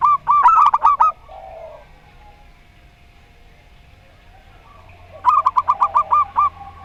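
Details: Local zebra dove of the Rondo Semoyo song style: a quick burst of about seven staccato, rolling coos, a long pause with a faint steady hum, then another bubbling phrase of about eight coos.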